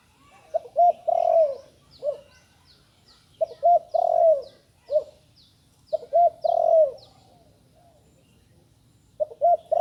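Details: Spotted dove, a young bird only recently learning to call, repeats a low cooing phrase about three times: two short coos, then a long falling coo, then one short coo. Faint thin high chirps sound in the background.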